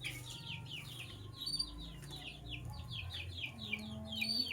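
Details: Lovebirds, sky blue opaline and cobalt, chirp steadily in the morning: clusters of bright, falling chip notes run almost without pause over a low humming background.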